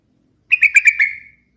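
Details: A yellow-vented bulbul gives one quick bubbling phrase of five liquid notes, fairly high and clear, the last note trailing off; a melodious song used as a lure to draw other birds. Nothing else is heard.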